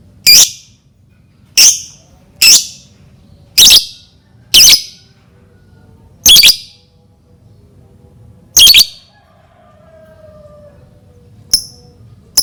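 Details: Lovebird used as a lure so other lovebirds start singing: piercing high squeaky chirps spaced roughly one to two seconds apart, eight in twelve seconds, with a faint short chirp near the end.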